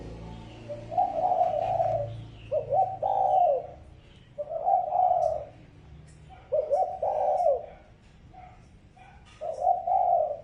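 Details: Spotted dove giving a lure call meant to draw in other doves: low, husky cooing phrases of two or three rolling notes, repeated about every two to three seconds with quiet pauses between. Soft ticking sounds in the background.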